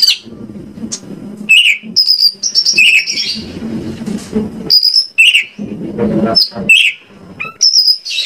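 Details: White-rumped shama song from Indonesia, used to lure other shamas into singing: clear whistled notes and short trilled phrases rising above a continuous low rumbling murmur.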